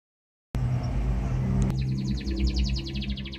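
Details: Canary, labelled 'badai': after half a second of silence, a fast rhythmic trill of bright repeated notes rises into a rapid, slightly wavering series over a steady low rumble of background noise.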